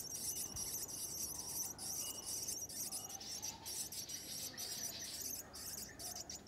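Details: Willie wagtail nestlings in a nest begging as they are fed: dense, high, hissing, buzzy bursts repeated almost without pause, with thin steady whistled tones running through them, over a soft continuous background rumble.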